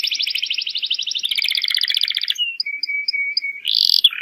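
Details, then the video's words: Atlantic canary singing as a training lure for young birds: a fast buzzy trill that changes tempo midway, then a sustained level whistle dotted with short high pips, ending in a harsh burst. "PANCINGAN BURUNG KENARI GACOR UNTUK PAUD AGAR CEPAT NYAUT"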